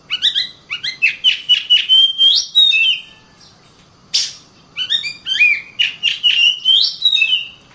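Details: Oriental magpie-robin (kacer) singing two loud bursts of rich, varied whistles mixed with quick chips and slurred rising notes, with a short pause between phrases; the song is used as a tutor recording.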